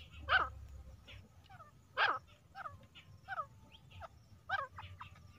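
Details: Female grey francolin, used as a hunting lure, gives two loud, harsh, ragged notes two seconds apart, with shorter sliding downward notes repeated in between over a low background hum.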